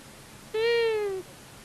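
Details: A male and female long-eared owl visit a common buzzard nest in Tiszavasvári, Hungary, March 23, 2022. One drawn-out, reedy call holds a level pitch, then dips at the end, lasting about 0.7 seconds, with low background noise.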